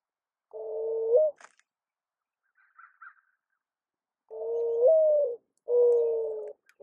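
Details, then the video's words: A mourning dove gives three long, hollow, low coos, the middle one lifting slightly in pitch, with faint soft chirps between them. "Mourning Dove Call"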